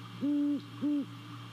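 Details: At a nest in Savannah, a great horned owl gives two deep, level hoots in quick succession, recorded by nest camera in the early hours of 28 December 2020, with steady low hum behind.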